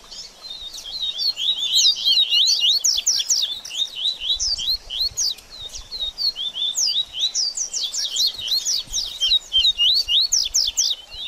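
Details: Double-collared seedeater singing in a lively 'baderninha' recording meant to stimulate a bird after its moult: dense, rapid bursts of high, sharp twittering notes and slurred chirps, overlapping almost continuously, with short pauses near the middle.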